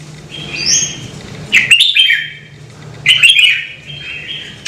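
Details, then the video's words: Red-whiskered bulbul, a bird kept to be stimulated into singing, giving short bursts of bright warbled phrases around two seconds apart, with a higher thin note between them and a low hum underneath. "CHÀO MÀO | Kích chim nhạy hót - Thúc chim hót hay căng lửa"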